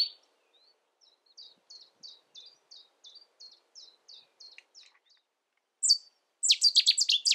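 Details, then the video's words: Cetti's warbler in the UK: a soft series of evenly spaced, thin chips, then a loud, explosive burst of fast, hard notes near the end. "Cetti's Warbler revealed"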